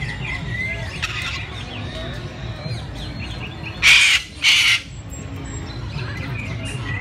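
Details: Sulphur-crested cockatoos playing with each other at Lake View: two harsh, loud screeches in quick succession midway, over a steady background of murmuring voices and distant chirps.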